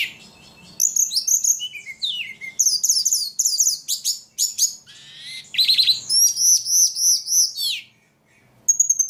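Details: Ledekan singing energetically, a fast, varied run of high whistled notes, arched chirps and buzzy trills in bursts with short pauses; quiet background.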